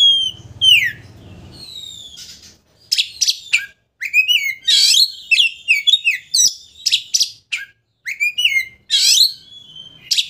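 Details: Oriental magpie-robin, a kacer used as a lure to provoke a rival into opening its tail: loud varied song of sharp whistled notes, downslurred trills and rapid chattering phrases, with brief pauses between bursts.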